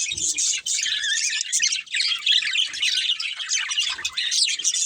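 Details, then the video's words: Budgerigars of a breeding pair give a nonstop high, rasping chatter of squawky chirps and warbles, with a few soft knocks. "Cute Colourful Budgies Chirping Sounds"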